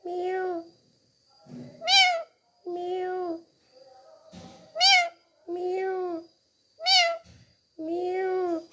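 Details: Pet talking parrot enjoying a head massage, giving repeated mimicked meows: steady nasal tones alternating with sharp, high rising squeaky notes, about one every second, with quiet soft noises between.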